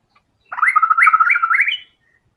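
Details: White-rumped shama in vigorous song with learned filler material: one dense phrase of rapid warbling, bouncing notes that rise at the close into a brief higher whistle.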